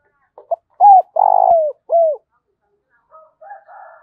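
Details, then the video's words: Spotted dove kept as a decoy gives two quick opening notes, a level coo, a long pulsing coo sliding down and an arched final coo, then faint higher scratchy calls from another bird. "Chim Cu Mồi/ cu gay kich boi nhanh noi gù"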